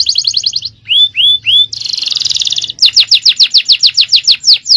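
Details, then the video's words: Champion-style canary song, 'cengkok jawara', given as a training recording for other birds. A short trill, then three clear upslurred whistles, a buzzy rattle, and a fast run of repeated sweeps. "Aksi Kenari||Cengkok Jawara||Full Power Canary Action||Cengkok Champion"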